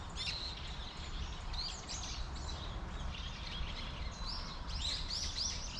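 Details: Eurasian tree sparrows gathered in a persimmon tree, chattering in bursts of short high chirps, some sharp and rising, several birds calling at once, over a continuous low background rumble.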